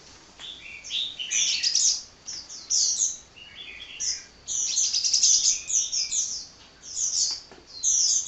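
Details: Sunbird chattering without rest, high-pitched twittered phrases in clusters of quick notes, several bursts over eight seconds with brief pauses between.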